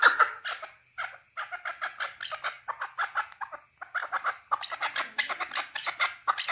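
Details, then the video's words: Chukar partridge (keklik) in Tajikistan, 2020: dense bursts of harsh clucking notes, rapid and overlapping, coming in uneven runs with brief pauses near one and four seconds. "Садои Наркабки Маст 2020. Голос Куропатка (Кеклик) в Таджикистане 2020.Keklik in Tajikistan"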